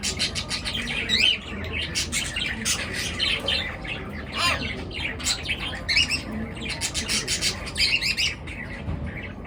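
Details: Birds chirping in the morning: dense, overlapping bursts of high, sharp chirps and squawks, many close together, over a steady low background rumble.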